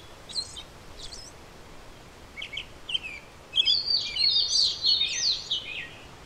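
A European robin sings a few thin, high notes, then a rich, liquid warbling phrase of quick trills and whistles lasting about three seconds.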